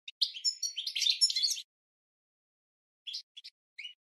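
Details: European goldfinch song used to train caged birds, with a rich rush of high twitters and liquid chirps for over a second, then silence broken by a few isolated short chips and a slurred note.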